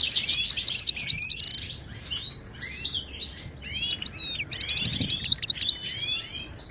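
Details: Song of a wild Moroccan European goldfinch in the Ouidani style, used to train cage birds: dense high twittering with sweeping slurred notes, a short lull, then bursts of rapid chips and thin whistles.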